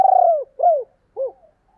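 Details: Spotted dove in thúc and gáy gọi calling: a long, slightly rough coo slides downward, then two shorter arched coos follow, each falling at its end, with a quiet background.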